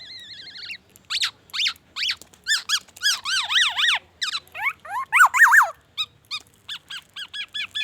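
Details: Black-naped oriole in full, energetic song packed with imitations of white-rumped shama phrases: opens with a wavering trilled whistle, then a rapid run of sharp, sweeping up-and-down whistled notes in quick bursts, ending in short repeated chips.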